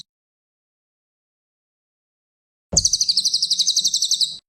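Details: Cililin, a champion songbird, bursting into a rapid trill of high, sharp notes, roughly sixteen in under two seconds, after a long silent stretch, recorded for training other birds.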